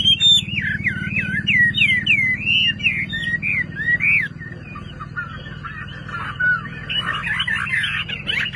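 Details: Chinese hwamei, a Vietnamese hobby songbird, delivering a string of clear swooping whistled notes for four seconds, then softer varied phrases and a burst of scratchy twittering, over a constant low rumble.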